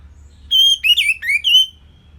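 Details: Orange-headed thrush singing a simple song meant as a tutor for other songbirds to copy: one short phrase of clear whistled notes, a steady high note, then quick warbled slurs and a falling then rising whistle, on a quiet background.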